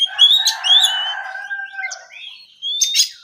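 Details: Oriental magpie-robin (kacer) in relaxed ngeplong morning song: thin high whistles over a steady rough buzzy tone, fading to quieter notes, then a sharp clear whistle near the end.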